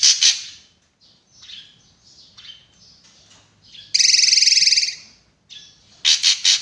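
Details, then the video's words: Sharp-voiced drongo: harsh notes at the start lead into soft scratchy twitters. Next comes a long loud buzzing rattle, then a final burst of three stuttered harsh notes. "BURUNG SRIGUNTING GACOR"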